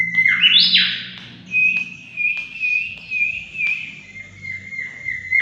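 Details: Lively mangrove whistler song for luring: a strong upward-sweeping opening phrase followed by a long series of wavering, level whistles and a few sharp clicks.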